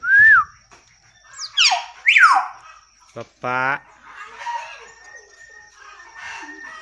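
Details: Common hill myna (beo negaro) mimicking a chicken with varied sounds: a short whistled upslur, two sharp downward-sweeping squeals, a single click, then a rich clucking note, followed by soft chatter and a thin whistle.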